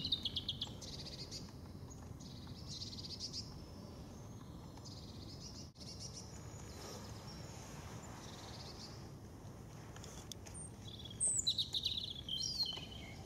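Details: A European robin sings short, high, tinkling phrases with pauses in Veerse bos, recorded 080314, over a steady low rumble of wind or distant traffic.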